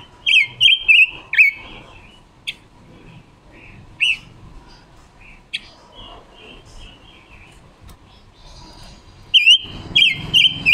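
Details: Female Red-billed leiothrix decoy bird singing wild-style song in October 2021, used to stimulate males and lure birds to traps; loud slurred whistled bursts open and close, with short sharp notes and soft warbling between.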